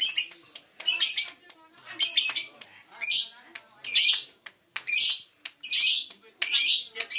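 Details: Lovebird song: rasping, high squeaky chirps delivered in steady bursts about once a second, each burst a short scratchy phrase, with thin clicks between them.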